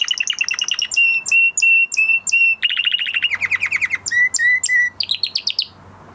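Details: After moulting, a male canary sings varied tours: steady whistled notes, then quick chopped trills, then lower repeated whistles, and finally a rising buzzy phrase.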